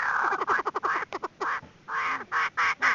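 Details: Female Chinese francolin lure call for trapping: loud, harsh, broad clucking notes in quick clusters, some short stuttering notes and a few longer rasping calls.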